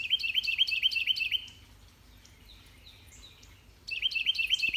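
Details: A male Carolina wren in a spring morning garden in mid-eastern Georgia sings a loud, rolling series of quick repeated phrases, apparently calling his mate, pausing while other birds chirp faintly, then starting again.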